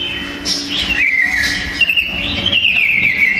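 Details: Duel between two sooty-headed bulbul males singing hard and fast, used for song tutoring. Sweeping whistles slide down, then a new phrase jumps up and trails off in a rippling warble, over faint background hum.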